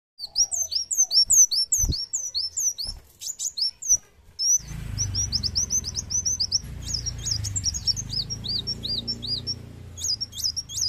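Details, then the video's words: Sunbird song, plain sunbird type: thin, high, sharply slurred chirps in quick bursts, later a rapid run of tinkling notes, with a low hum underneath. "kolibri wulung | muncang | kaca GACOR"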